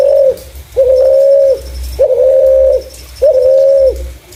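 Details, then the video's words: Spotted dove giving a clear call suited as a lure for other doves: four steady, hollow, level coos, each nearly a second long, repeated at an even pace, with a faint thin high tone and low rumble behind. "Burung Terkukur // Suara jernih cocok untuk pancingan"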